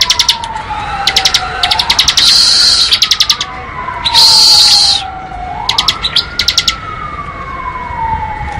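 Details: Bar-winged prinia in ngebren song: quick series of sharp ticking notes running into dense buzzy bursts, repeated, with a siren-like sweeping tone behind.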